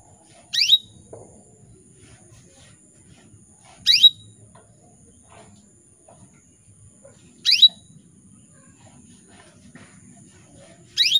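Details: Repeated calls of a female canary luring males into song: four sharp, brief upward-sweeping chirps spaced about three to four seconds apart, separated by near silence and a faint steady high whine.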